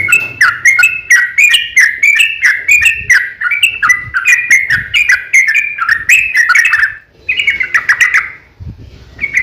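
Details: Sooty-headed bulbul in lively fighting song, played as a lure to provoke other bulbuls into singing: a long, rapid chain of bubbly, slurred chirps, unbroken for about seven seconds, then a short pause and a few more phrases.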